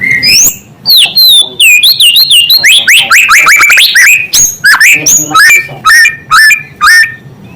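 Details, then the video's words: White-rumped shama, known locally as murai, delivering a native song meant to rile other shamas; fast, rich sequence of rising and falling whistles and trills, with short pauses between bursts. "Suara asli murai membuat murai lain langsung emosi"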